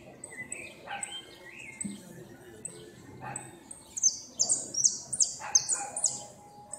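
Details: Second-placed saffron finch at a 2016 northern-zone repique singing competition: a rapid run of sharp, buzzy high notes in the final seconds, after scattered whistled chirps from other birds.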